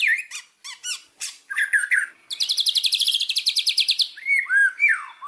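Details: White-rumped shama from Indonesia, a lure recording meant to set other birds singing: sharp whistled notes and short slurs, then a long buzzy, rapidly pulsed high trill, ending in swooping whistles.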